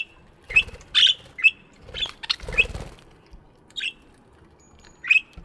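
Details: Aviary budgies chirping in the morning: a busy run of short bright chirps and squeaks mixed with wing flutters, easing into a few spaced calls.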